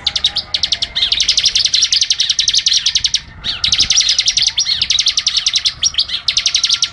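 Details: Long, dense bursts of sharp high notes from a Bar-winged Prinia in rapid 'ngebren' delivery, almost continuous with only short breaks.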